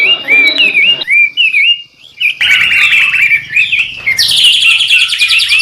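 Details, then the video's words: White-rumped shama, a training song for other cage birds, giving clear whistled notes that rise and fall in short phrases, a pause, then a burst of rapid scratchy chatter ending in a loud, high buzzing rattle. "Murai Batu gacorrr"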